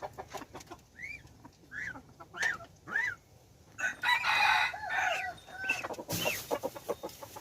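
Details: Hybrid junglefowl decoy cock, recorded January 2021: a series of short arched chirps, then a loud raspy crow of about one and a half seconds, ending with a burst of noise.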